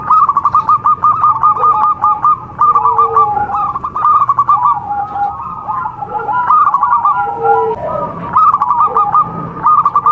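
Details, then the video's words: Zebra doves of a local contest line, recorded as training audio for singing: dense, overlapping runs of rapid coos from more than one bird, continuing almost without pause. "MASTERAN PERKUTUT LOKAL SPECIAL KONTES | TURTLE DOVE JAVA BIRD (COLUMBIDAE) SINGING"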